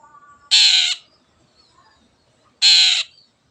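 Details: Cendet, the long-tailed shrike, singing gacor-style to stir silent birds into song: two long, broad, grating buzzes about two seconds apart, loud and rasping, against a quiet background.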